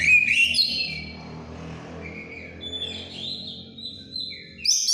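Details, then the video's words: White-rumped shama in strong breeding condition, ngeplong style: a short bright whistled phrase, then sparse clear whistles and a final burst, over low continuous background hum. "GACORNYA BURUNG LAGI OVER BIRAHI CUMA NGEPLONG"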